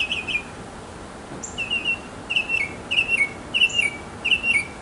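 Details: Singing male mockingbird in a backyard, courting a female: one short phrase repeated five times at a steady pace, each a quick chirped doublet falling at the end, with faint high notes above.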